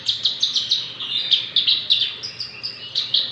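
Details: Six-month-old Javan bush lark in full, persistent song: rapid high chirps and short trilled notes repeated about five times a second, with a faint low hum beneath.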